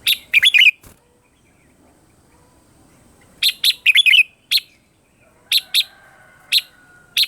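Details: Morning song of a red-whiskered bulbul, recorded for training other birds' voices: rapid bursts of loud, bright chirping notes, a cluster at the start and another around midway, then spaced single chirps.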